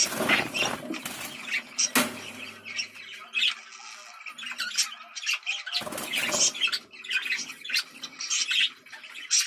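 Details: Budgerigar breeding-stimulation call: sharp squawks and rapid chirping bursts, with a sudden loud squawk and a short quiet gap before the chattering resumes more densely.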